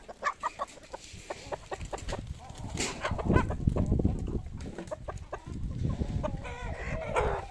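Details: Farm poultry being fed, a happy moment for the birds; short sharp clucks repeated several times per second at first, then busy mixed calls and a burst of squawking near the end over steady low rustling.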